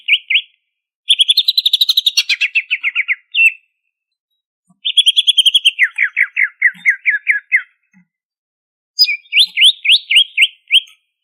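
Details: Ngentrok-style song of a greater green leafbird from Banyuwangi, singing hard with varied phrases. Three bouts of rapid, high chattering notes, each dropping into lower, more spaced, slurred whistles, with short silences between bouts.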